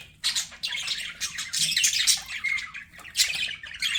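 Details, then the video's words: Several squawky, grating bursts from pet budgies, separated by brief dips, with a short clear whistle near the middle over a quiet hum. "BUDGIE SOUNDS"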